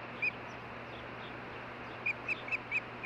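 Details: An osprey pair calling at their nest, Hellgate Canyon, Missoula, Montana, on June 14, 2015, via nest camera. A single shrill chirp is followed, after a gap, by a quick string of four or five whistled notes over hiss.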